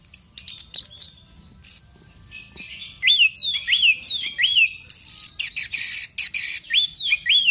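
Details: Loud Orange-headed thrush song in the wild-sounding 'teler' style, meant to goad a kept bird into singing: quick high chirps, then a long run of swooping whistled notes that rise and fall, mixed with harsh buzzy bursts.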